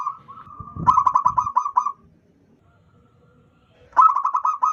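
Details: Wild local zebra dove calling loudly as a lure for trapping: two bursts of rapid, rolling cooing notes repeated in quick succession, separated by a pause, with faint low rustling beneath.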